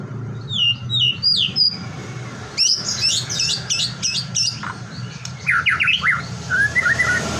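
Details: White-rumped shama song intended to trigger other shamas to sing: high sweet whistles, a burst of rapid scratchy chattering notes, then steep upslurs and soft warbles, over faint background hum.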